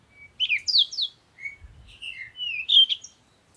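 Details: Sunrise bird chirping in the morning: a thin whistle, then quick downslurred high chirps and a run of warbling, twittering notes, in an otherwise quiet setting.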